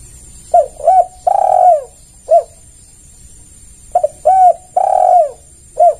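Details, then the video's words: Spotted dove calling as a lure for other doves: two phrases of short coos, a long drawn coo and a final clipped note, about three seconds apart. "Pancingan Tekukur Semua Pasti Merespon"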